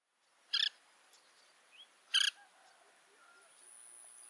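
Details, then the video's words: Oriental pratincole, an uncommon breeding summer visitor in Pingtung County, Taiwan, recorded on 1 June 2023. Two short, sharp, harsh notes sound about a second and a half apart. A faint high steady tone and soft background noise sit behind them. "屏東縣的燕鴴Glareola maldivarum"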